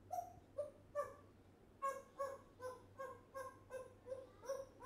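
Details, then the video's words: An African grey parrot aged one year repeats a quick series of about eleven short, harmonic, barking notes, around two or three per second, with a low hum beneath. "African Grey Parrot talks non stop"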